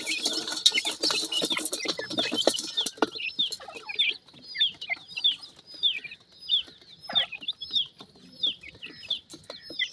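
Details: Baby Mikado pheasants out with their mother for a feeding: three seconds of dense scratchy rustling, then thin, falling peeps repeated at an uneven, lively pace with brief pauses.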